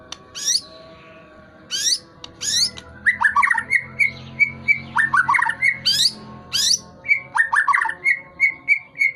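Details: White-rumped shama, said to be flicking its tail while singing energetically, mixes sharp high sweeping notes with runs of short repeated whistled chips, over faint background music.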